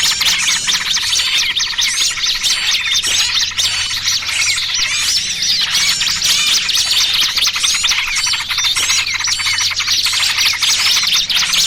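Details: Small birds in a noisy trapping lure mixing trucukan with pinched small-bird sounds: a thick wall of high squeaky chirps and sharp ticks, busy and continuous throughout, with a faint steady hum below.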